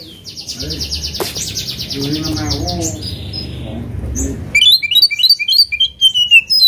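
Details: Oriental magpie-robin provoking a rival: a buzzy repeated trill and low droning sounds come first, then the bird breaks in with rapid, sharp whistled notes rising and falling.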